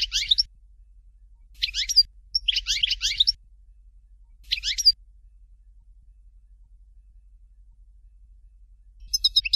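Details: Sparse Dalya-style song of a European goldfinch, Fort de l'eau variety: a few short, scratchy, high twitter bursts separated by seconds of silence, with a faint final phrase near the end.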